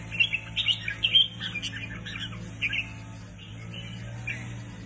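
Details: A newly acquired captive red-whiskered bulbul sings energetically: quick clusters of sweet, high chirped and warbling notes in the first half, thinning to a few scattered phrases, with a constant low droning hum underneath.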